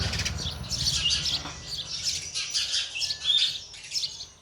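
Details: Parent sparrow feeding chicks, which keep up continuous high-pitched, twittering chirps with a light low background hum.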